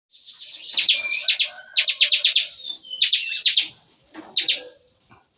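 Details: Bar-winged prinia singing in the morning in a breeder's aviary cage, a lively burst likened to gunfire: rapid buzzy high notes in fast trills, broken into three bursts with short pauses.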